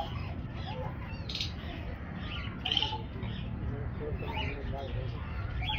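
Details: Grey parrot (Psittacus erithacus) talking in short, speech-like phrases with a few higher squeaky notes, over a steady low rumbling background.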